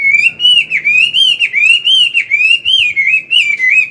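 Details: Chinese hwamei singing in the morning, an older wild-caught bird used to train a young one: a continuous warbling whistle rising and dipping in rhythmic pulses, about eleven beats in four seconds, loud and clear.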